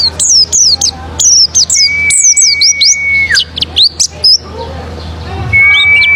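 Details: Pleci, or oriental white-eye, singing as a lure to set other birds singing: bursts of sharp, high, downward-sweeping chirps, with a long steady thin whistle held in the middle and returning near the end.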